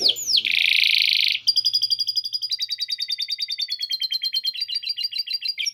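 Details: Canary delivering long continuous song with lovebird chatter: a loud buzzy rattle, then a long run of quick repeated notes. The run gradually splits into paired, slightly lower chirps, finishing with a short rising flourish.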